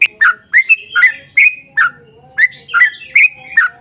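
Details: Brief run of yellow-vented bulbul 'ropel' song, used to coax other bulbuls into song: clear whistled chirps with downward slurs, spaced about two per second, over a light low rumble.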